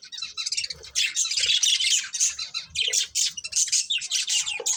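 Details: Continuous busy chatter from a breeding pair of budgerigars, harsh squawky and buzzy notes overlapping with hardly a break.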